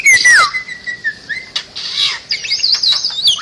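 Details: Bali myna song for tutoring other birds: a loud downslurred whistle and a long steady whistled note, then softer rasping sounds and wavering high warbles.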